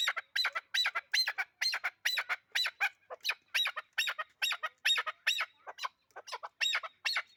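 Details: Chukar partridge kept for hunting gives a rapid, unbroken run of harsh, higher-pitched squawking notes, roughly two per second in loose bursts, over a quiet background.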